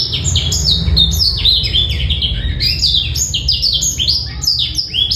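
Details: Male black-throated canary song intended to stimulate females and train juveniles: high, fast twittering with swooping slurred notes, continuous and clear over five seconds.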